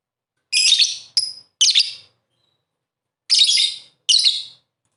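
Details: Lovebird song used as a lure for lovebirds that sing little. Groups of harsh, grating, high chirps come in quick runs of two or three. A short pause separates the groups.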